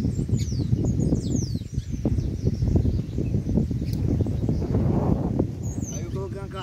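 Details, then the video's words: Chopi blackbirds singing outdoors in nature, giving sharp descending whistles and short chirped phrases, with a harsher rising call near the end, all over constant low wind rumble. "PÁSSAROS PRETO CANTANDO NA NATUREZA"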